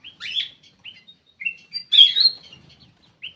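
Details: Black-crested bulbul lure call with a scratchy chirp, short whistled notes, then a loud bright slurred phrase, followed by quiet ticks and a final brief whistle.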